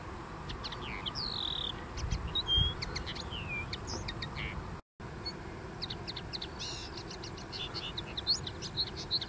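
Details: A common linnet (Linaria cannabina) singing on a dune gives a fast, twittering run of short chirps, trills and buzzy notes, with a steady low rumble of wind or surf behind.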